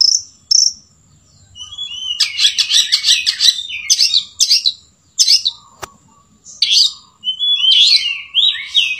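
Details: Long-tailed shrike song mimicking the sooty-headed bulbul, opening with two high clipped notes, then dense rapid buzzy chatter in bursts, ending with sweeping whistled phrases that rise and fall; a faint steady hum runs underneath.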